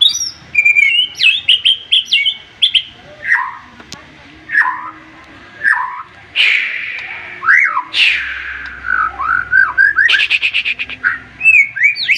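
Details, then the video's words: White-rumped shama in excited, full song meant to rouse rival birds: a varied flow of clear rising and falling whistles, quick chirps and slurred notes, with short pauses between phrases and a rapid stuttering burst near the end. "MURAI BATU OVER EMOSI DENGAR TEMBAKAN nya bikin lawan nya ikutan emosi dan ikutan GACOR"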